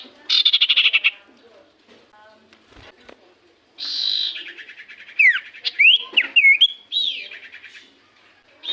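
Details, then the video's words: Common iora song used as a lure to make quiet birds sing back: an opening burst of rapid buzzy chatter, a pause, then a harsh rasp leading into looping whistled slurs that rise and fall. "Pancingan Burung sirtu cipoh gacor sekali putar Burung sirtu cipoh Diam Langsung nyaut"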